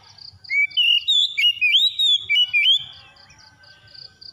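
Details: Loud Oriental magpie-robin song: a fast sequence of slurred, bouncing whistles over roughly two seconds. It then fades to a steady row of short high beeping pulses and faint lower chatter.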